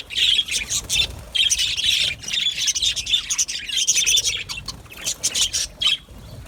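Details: Budgerigar aviary colony with loud clusters of squeaky chirps and scratchy warbles, broken by short pauses between bursts, many birds calling together.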